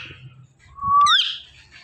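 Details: Indian ringneck parakeet kept as a talking pet: a short, sliding whistled note that rises and then jumps into a brighter, higher tone, over a faint low background hum.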